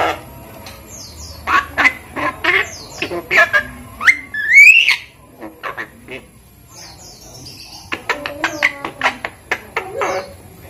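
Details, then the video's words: Five-month-old Javan myna, hand-raised from a chick, kept as a pet and being taught to talk, gives sharp whistled notes and buzzy calls. A rising whistle comes near the middle, then a quick run of clipped, harmonic, speech-like notes. "jalak kebo umur 5 bulan belajar bicara"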